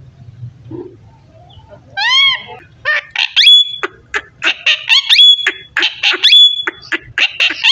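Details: Pet parrot talking indoors: a low hum first, then a few arched, harmonic notes, followed by a quick run of clipped, chattering syllables with sharp, thin whistles cutting through.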